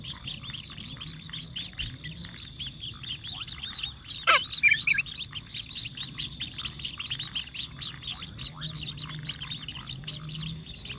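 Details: Sparrows chirp nonstop in rapid, high, repeated notes, several a second, while a sparrow feeds its chick, with one louder sharp burst partway through and a faint low hum behind.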